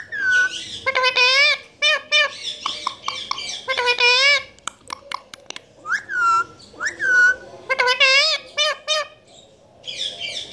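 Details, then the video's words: A pet parrot talks in Urdu/Hindi with rapid, voice-like phrases, mixed with rising whistles, short clicks and brief squawks, in near-continuous bursts across the recording. "Speaking Parrot Talking in Urdu/Hindi"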